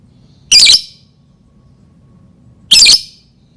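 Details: Two harsh, piercing squawks from a lovebird, each lasting about a quarter second and about two seconds apart, used to provoke other lovebirds to sing; faint low hum in the background.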